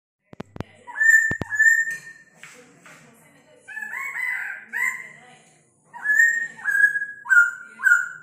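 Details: Old-forest laughingthrush singing its rooster-crow style song, 'Ò... ó... o': loud whistled phrases with stepped, slightly falling notes, in bursts with pauses; a few sharp clicks at the start.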